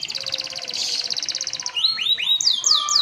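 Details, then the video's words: Caged canary delivering a gacor-style song with luxurious phrasing: a rapid metallic trill of repeated notes, then loud, clear upward-sweeping whistles repeated several times. "Suara Burung Kenari Gacor cengkok mewah"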